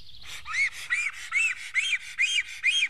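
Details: Black stork defending its nest in Estonia, 15 April 2018 near midday: after a brief start, a series of hoarse, arched whistled notes rising and falling, about two per second, each with a rough, squawky edge.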